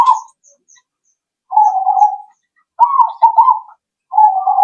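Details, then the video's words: Zebra dove calls played to get birds answering: a brief coo, a long steady coo, a trilled rolling phrase, then another drawn-out coo, with faint high chirps early on. "Pancingan Burung Perkutut.. In Sya Alloh Langsung Nyaut..!!!"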